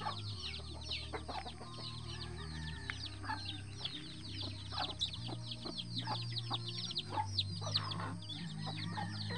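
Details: Free-range mother hen and her eleven chicks roaming the bushes; continuous overlapping high peeps from the chicks over steady low droning clucks from the hen.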